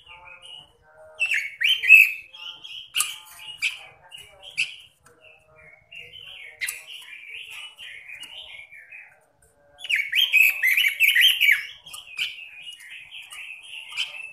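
A robin sings a fast, rich warble of bright, slurred phrases, with louder bursts separated by brief pauses and a continuous chatter in between.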